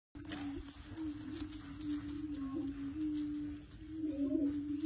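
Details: A male greater prairie-chicken (Tympanuchus cupido) booms: a low, hollow, moaning hoot that swells and fades, held steadily throughout with overlapping booms, over soft background hiss.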